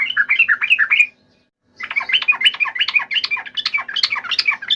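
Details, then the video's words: Yellow-vented bulbul (trucukan) giving a fierce, lively fighting song meant to provoke other birds to answer: a short burst of bubbly chattering notes, a pause, then a denser run of quick jumbled phrases. "trucukan gacor TARUNG FULL EMOSI TAJAM"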